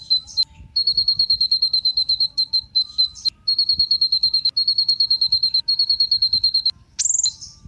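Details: High, thin rapid trill from a kolibri ninja sunbird, used as a lure for other songbirds: long even runs of quick repeated notes, briefly broken by sharp sweeping chirps and ending with a higher buzzy note.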